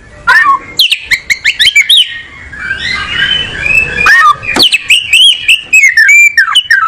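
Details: An oriental magpie-robin, known as kacer, delivers a string of sharp clicks and whistled sweeps, then a softer rough warbling passage, then loud ringing descending and rising whistles repeated in quick succession.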